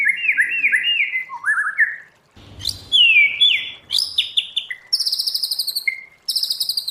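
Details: Wild-voiced white-rumped shama song for training: a series of rising and falling warbled notes, a sharp downslurred whistle, then high rapid trills and short clear whistles.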